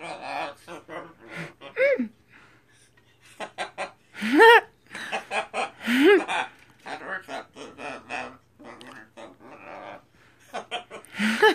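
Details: Scarlet macaw giving sung vocals of the song "Sinbad the Sailor man", with harmonic rising and falling swoops and short choppy speech-like syllables, plus quiet bursts of laughter-like sounds indoors.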